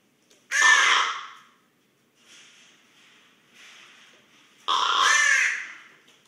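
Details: A sleeping common raven heard close up, snoring: two loud, coarse, hissing rasps about four seconds apart, with soft breathy sounds in the gap between them.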